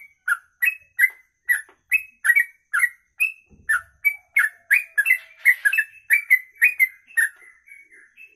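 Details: A sooty-headed bulbul delivers a long kongslet song, a brisk chain of clear, sliding whistled notes about three per second, with bright high clicks between notes and one brief low thump.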